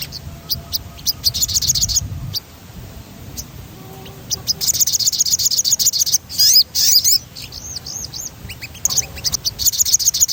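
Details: Crimson sunbird's rolling song as a singing stimulus: rapid high trills interspersed with sweeping squeaky notes and a couple of loud, buzzy high bursts, a faint low rumble underneath.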